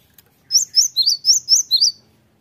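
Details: Cinereous Tit song used as a lure recording to make other birds answer: seven bright, high chirped notes repeated about four times a second in an even run, then silence, against a faint low hum.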